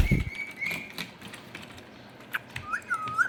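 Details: A pet rose-ringed (Indian ringneck) parakeet sitting on a computer indoors gives a drawn-out, level whistle, then after a pause a few short, bending whistled notes, with a dull thump at the start and quiet room noise.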